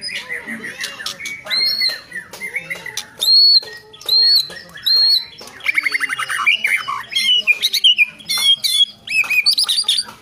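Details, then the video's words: White-rumped shama singing high, pure whistled notes, several held steadily and repeated. These are mixed with rattling chatter and quick clicks, and the song grows denser and more varied toward the end. "Lagu & Gaya Keren Murai Batu"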